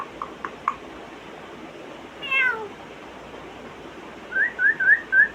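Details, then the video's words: Captive African grey parrot mimicking sounds, a few soft squeaks, then a sharp descending slide, and a run of four rising whistled chirps in quick succession against steady room hiss. "My Smart African Gray makes 23 sounds"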